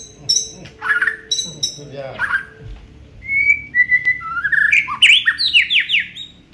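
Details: Aceh white-rumped shama showing its full song repertoire: high sharp chips and twitters at first, then a long varied run of clear whistles, rising slurs and rapid buzzy notes, with a soft low background rumble.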